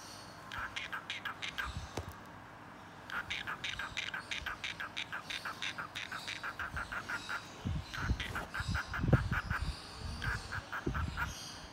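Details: A male cockatiel named Cocky chatters in a rapid, scratchy run of speech-like syllables, saying his own name aloud as he likes to do.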